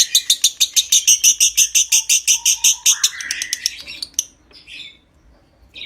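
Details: Lovebird giving a long konslet ngekek trill to stimulate breeding: a rapid even rattle of high chirps for three seconds, then a sliding squeal, scattered chips and silence.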